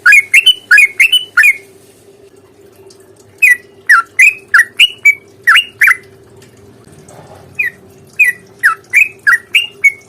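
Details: Rapid fighting song of a sooty-headed bulbul, used as a lure for other birds to respond: clusters of sharp, slurred chirps at a fast pace separated by short pauses, with a steady low hum throughout.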